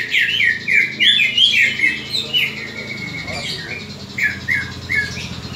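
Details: Fighting call of a greater green leafbird, used to train the fighting spirit of other leafbirds. Quick downward-slurred chattering notes come in bursts, with a pause after the third second, then three clear slurred notes follow, over a low hum.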